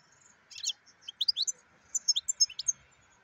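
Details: A black-headed European goldfinch gives two short bursts of bright, liquid twittering, each made of several quick high notes, separated by a brief pause. A steady faint hum sits beneath.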